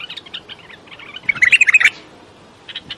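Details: Bulbul song: soft scattered chirps build to a loud run of about eight quick, evenly spaced whistled notes, then a few quieter chirps close the phrase.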